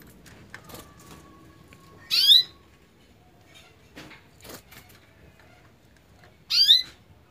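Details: Canary, at first reluctant to sing, gives two brief, bright, high twittering bursts about four seconds apart, with faint clicks and hiss between them; the bursts are called its "cough" (batuk) note.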